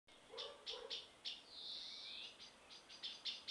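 Common blackbirds courting: short, high squeaky notes about every third of a second, broken by a thin, drawn-out whistle that rises, then more squeaks.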